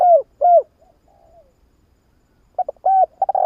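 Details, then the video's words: Cooing of a Spotted dove played as a lure for trapping doves, clear falling coos followed by a pause with faint softer notes, then the phrase starting again with quick short notes. "Tiếng chim cu gáy nghe là ghiền kích bổi siêu nhạy"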